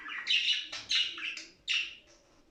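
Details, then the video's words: Short budgerigar warble for encouraging mating: three loud, scratchy chattering phrases separated by brief gaps, then a faint trailing note. "صوت تغريد لتنشيط طائر البادجي علي اللعب والهيجان والتغريد والتزاوج"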